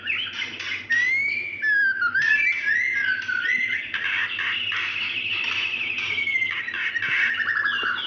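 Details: Female White-rumped shama calling a male, a lure for males unwilling to sing: long stream of bright whistles, slides and quick warbled notes, continuous and layered, over a steady low hum.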